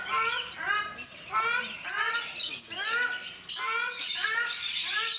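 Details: Captive ruddy shelducks, the Brahminy duck of India, at Mysore Zoo: loud nasal honks with rich harmonics, arched in pitch and spaced roughly every second, several birds calling over a bright hiss.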